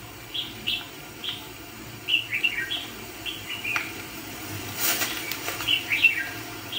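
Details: Red-whiskered bulbul used as a trapping decoy for fighting birds delivers spaced bright chirps and short slurred phrases, with brief rustling or flapping noises partway through.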